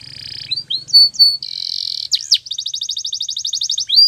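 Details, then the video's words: Canary singing a training song: faint low hum beneath the opening, clear level whistles, a brief buzzy roll, then a long evenly repeated trill of bright notes. "Your Canary Will Sing Immediately - Canary's Sound Training Every Morning"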